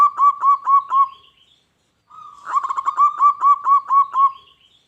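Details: Zebra dove song from a strongly singing local bird, used to excite wild doves: five evenly spaced coo notes, a pause, then a soft rising lead-in running into a fast, rolling series of bright cooing notes.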